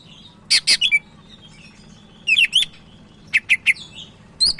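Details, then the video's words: Sumatran leafbird in vigorous song, recorded as a tutor for training other leafbirds: bursts of sharp high chirps and quick wavering whistles in three clusters, over a steady low background hum. "Burung Cak Ijo Medan Gacor"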